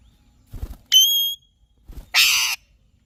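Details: Alexandrine parakeet giving two loud calls, one a clear harmonic whistled note, the other a harsh broad screech, with soft low thumps just before each call.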